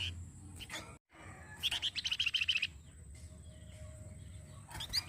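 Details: Flamboyan songbird recorded as a master song for training other songbirds: a brief high note, then a fast run of bright, even chirps near two to four kilohertz lasting about a second, with low steady background hum.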